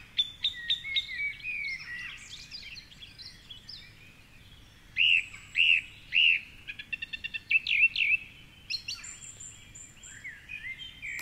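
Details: Male song thrush at 4.45am dawn chorus from a tall treetop perch by the Curragheen River path, Cork City; a clear whistled phrase repeated three times in quick succession amid varied chirps, rattles and other birds, with raindrops.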